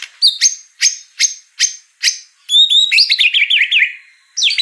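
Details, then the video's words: White-rumped shama song with mimicry fill-ins: a series of sharp clicking notes roughly every half second, followed by a quick jumble of high twittering and falling whistles. "murai batu ful isian"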